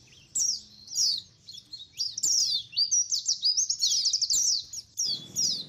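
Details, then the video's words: Chattering white-eye colony sound meant as a lure: high, thin twittering chirps in quick runs of slurred descending notes, several birds overlapping, ending in a short burst of low rustling noise. "SUARA KOLONI PLECI COCOK BUAT PANCINGAN PLECI AGAR CEPAT NGALAS | SUARA PIKAT BURUNG PLECI"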